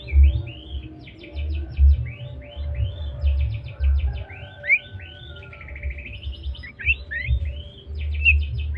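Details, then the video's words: Medan white-rumped shama singing trotol: a chain of repeated looping whistled arcs and rapid ticking trills, rich and tonal, over a thumping low hum. "suara burung murai batu medan||murai batu medan trotol gacor"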